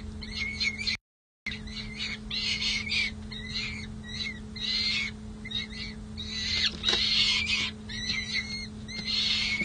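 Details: Young peregrine falcons at the San Jose City Hall nest box in May 2024, after the silver-banded chick joins her sisters outside: near-continuous grating, rasping cries in uneven bursts, briefly cut to silence once, with constant low hum.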